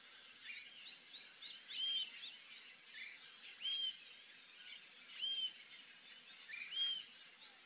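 Rufous-tailed jacamar giving thin, high, arched whistled notes, one roughly every one and a half seconds, over a steady hiss of insects and faint chirps from other birds.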